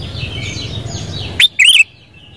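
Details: Sooty-headed bulbul, known locally as kutilang, singing: faint high chirping and low rumble fill the first second and a half, then two loud, clear notes follow, a brief rising whistle and a slightly longer wavering, warbled phrase.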